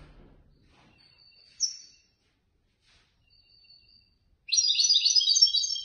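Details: European goldfinch ranked third in a Casablanca bird club singing competition: a few thin, high whistled notes spaced apart, then a sudden burst of fast, jangling twitter at the close.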